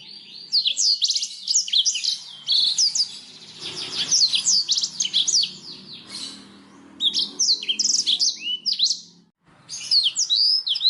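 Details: Black-throated canary song used as a tutor recording for pet songbirds, especially canaries: rapid, clear, high-pitched phrases of sweeping whistled and trilled notes, with a short pause near the middle.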